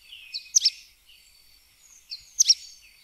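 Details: Two bursts from a sooty tyrannulet (joão-pobre), each a high, abrupt, sputtering cluster of notes preceded by a thin, faint whistle, about two seconds apart.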